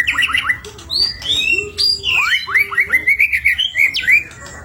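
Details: Caged white-rumped shama singing a varied song used as a lure to get other birds singing: whistled downslurs, rising sweeps and a fast rippling trill of repeated notes, loud and close.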